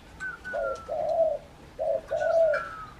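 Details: Spotted dove calling outside its cage: low hollow coos in two short phrases, each a brief note followed by a longer drawn-out coo, with a faint thin whistle above.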